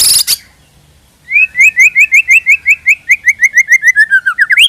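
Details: White-rumped shama song for luring birds, a harsh burst followed after a pause by a long, even train of short, bright upslurred notes, about five a second, dropping slightly toward the end.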